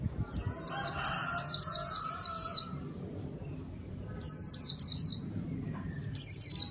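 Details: Singing white-eye used to attract birds, giving a run of about eight high, sharply slurred chirps, a pause with distant faint sounds, then shorter bursts of the same rapid notes.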